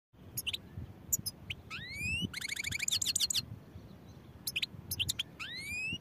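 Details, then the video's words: European goldfinch singing: sharp upward-sweeping whistles and short clicks, then a rapid, buzzy stacked trill lasting almost a second, followed by more quick chirps and another rising sweep over a low background rumble. "goldfinch songs | goldfinch singing"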